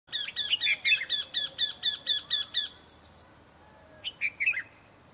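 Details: Eurasian wryneck, known locally as Viri Moth, calling in Kashmir: a fast run of about eleven harsh, nasal, evenly spaced notes at roughly four per second, followed after a pause by three more similar notes.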